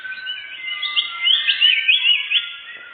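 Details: A canary sings as a bird-catching lure: a run of clear, looping whistled notes rising and falling in quick succession, loudest in the middle.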